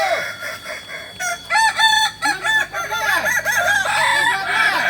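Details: During a joint training session in Kota Solok, West Sumatra, a Kokok Balenggek rooster begins after a quiet second and runs a long chain of rapid, arched, stair-stepped crow syllables, with other crowing birds joining behind.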